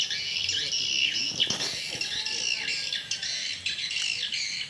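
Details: Evening swiftlets at a small swiftlet house, calling in response: continuous high, shrill twittering and squeaky chirps from many birds, with a brief lower sweep near the middle.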